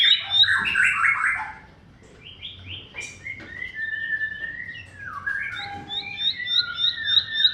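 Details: Bar-winged prinia song used as a lure to make silent, stuck or sluggish caged birds sing: bursts of buzzy notes, then a run of repeated high chirps and short slurred whistles.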